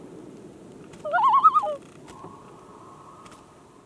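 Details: Common loon on a lake on a hot summer evening, near a canoe about 500 feet from shore, seemingly upset by fireworks. It gives a loud tremolo call, a rapid quavering under a second, then a faint drawn-out note over a low rumble.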